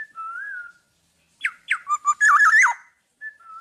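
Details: Black-naped oriole, tame and not caged, singing eagerly: a soft wavering whistle, a pause, then two downward-swooping notes, brief mellow notes and a tumbling liquid warble. A faint whistle follows at the end.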